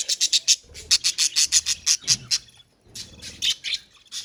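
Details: Budgies calling in a colony, a rapid series of crisp, high-pitched chirps in evenly spaced bursts, a brief pause, then another run of chirps.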